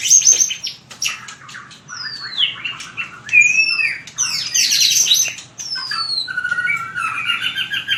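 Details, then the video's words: Training song of a white-rumped shama, fighting style (hót đấu): varied phrases mixing clear descending whistles, chattering notes and fluty trills, loud at first, then softer warbling. "Luyện chòe lửa hót đấu/luyện giọng chòe lửa/kích lửa shama bird"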